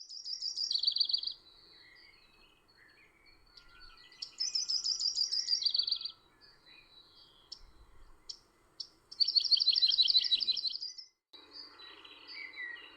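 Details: Yellow-rumped warbler during spring migration in April 2020 along the Towpath Trail at Canal Park, Ohio, sings three high, sweet trills, each about 1.5 seconds and dropping lower at the end, a few seconds apart; faint outdoor hiss.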